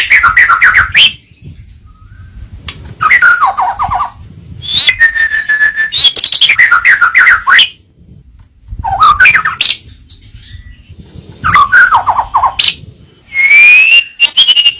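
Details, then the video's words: White-rumped shama (murai batu) delivering a training song in separate phrases every few seconds: dense bursts of rapid, descending whistled notes and rattling trills, ending with a long bright whistle and chatter. "Masteran burung murai batu suata unik sukses bikin emosi"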